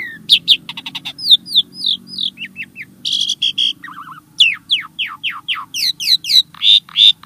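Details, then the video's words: Starling song used to prompt caged birds to sing: a varied run of high whistles, rapid clicks and short downslurred notes, then a low burbling phrase and a series of sharp rising and falling whistles, over a steady low hum. "Kicau Burung Jalak | Cocok Untuk Pancingan"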